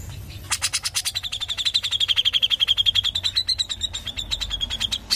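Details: Grey-cheeked bulbul delivering its 'ngepik rapat' song: opens with loud sharp chips, then a long fast series of clipped high notes, about three per second, briefly rising near the end.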